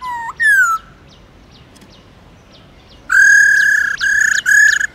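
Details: Wild-style Black-throated laughingthrush song used to rouse caged birds into singing: an upslurred whistle and a falling whistle open, a quiet gap with faint high ticks follows, then three strong steady whistles end the phrase.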